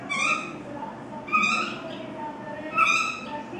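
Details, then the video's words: Common myna (shalik pakhi) feeding baby birds outside the nest: harsh, nasal squawks repeated about every one and a half seconds over a steady background hiss. "myna bird feed baby birds,feeding outside nest,(shalik pakhi)"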